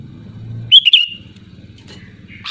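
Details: Single loud, liquid sooty-headed bulbul phrase aimed at rivals: two quick bubbly whistled notes trailing into a fading tone. A faint note follows near the end over a steady low hum.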